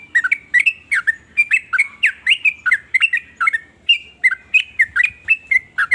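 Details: Sooty-headed bulbul delivering a varied song that sets other bulbuls singing; dense, bubbly chattering phrases of rising and falling notes, close and loud throughout.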